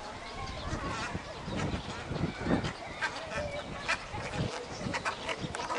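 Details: Many cattle egrets calling at a breeding colony at Inkamana near Vryheid on 12 November 2007: a dense, overlapping din of harsh, low croaks and honking notes, with louder bursts rising out of the steady colony noise.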